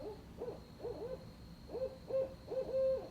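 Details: Barred owls give a rapid run of short, hooting, arched notes that rise and fall, about eight in three seconds, in a wild cackling exchange that sounds like monkey noises.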